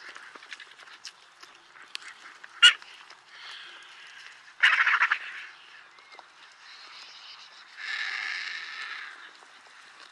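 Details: White-backed vulture in Kruger National Park: harsh, rasping hisses in broad noisy bursts, a loud one at about five seconds and a longer one near eight seconds, with faint scratchy squeals and clicks between them.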